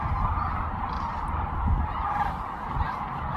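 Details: Many Sandhill Cranes on spring migration at the Platte River, Kearney, Nebraska, in pre-dawn darkness; big groups take off and fly overhead giving rolling, trumpeting calls that blend into one continuous din over low rumbling wind.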